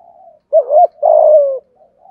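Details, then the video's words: Spotted dove decoy bird with a 'thổ' voice, cooing to lure wild doves; a short phrase of two or three throaty, wavering coos, the last one longer and gently falling, with soft low murmurs before and after. "Chim cu gáy thúc gù bài bản giúp bổi nghe xiêng gáy và mau lên mồi"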